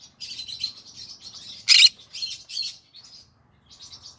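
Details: In the evening, a green-cheeked conure sings with fast, high, buzzy chatter, then one piercing screech and a couple of rasping calls before the chattering trails off and picks up again.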